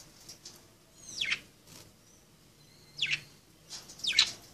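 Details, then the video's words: Playing budgerigars give steeply descending chirps, grouped in twos and threes, with thin whistled notes between and quiet background. "Pericos australianos jugando"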